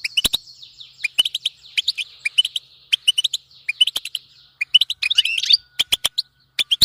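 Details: European goldfinch bitbita, a chattering style used to make a goldfinch keep singing: bright twittering chip clusters, a tangled slurred run past the middle, faint continuous whine and sharp clicks.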